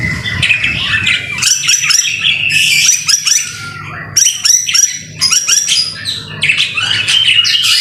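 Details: Lively white-rumped shama song in the rain, recorded for training birds: high, dense chattering phrases broken by short pauses, each burst full of rapid, varied notes.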